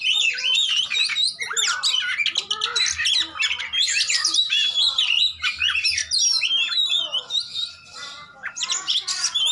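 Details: Oriental magpie-robin in fighting song, meant to provoke magpie-robins that have gone quiet: loud, unbroken medley of shrill whistles, rasping squawks and quick chirps.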